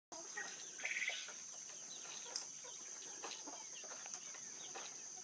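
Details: A male Manchurian golden quail, a Japanese quail, mating gives one brief burst of quick, chirpy notes near the start, then a steady hiss and scattered faint clicks and rustles.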